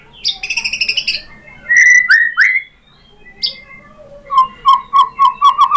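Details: Shama song, white-rumped, played to provoke other birds into singing: a harsh trill, two loud upslurred whistles, then a rapid series of short repeated whistled notes.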